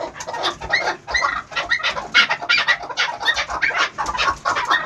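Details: Young chukar partridge aged eleven months uttering a dense, uneven stream of clucking chuck notes throughout, loud and close.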